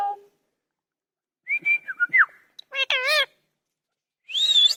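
A parrot makes a burst of clear whistles and sliding notes, then a short run of warbling, voice-like syllables and a final bright squawk.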